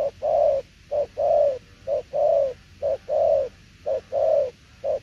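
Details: Spotted dove giving tiểu liên nước coos, clear low hollow phrases where a brief note leads into a longer, slightly wavering coo, pairs repeated roughly every second over a quiet background.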